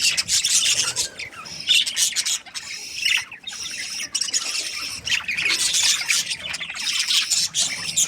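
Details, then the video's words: Breeding pairs of budgerigars, the Australian parrot, fill the air with dense, continuous high chatter: scratchy chirps and squawky warbles from many birds at once, with only brief pauses near the middle and end. "Budgies parrot chirping sounds"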